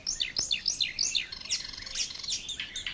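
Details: Marsh warbler song, a 1979 field recording from Matsalu's water-meadows and coastal pastures: a fast, varied run of high whistled slurs, chirps and short buzzy notes, changing every few tenths of a second.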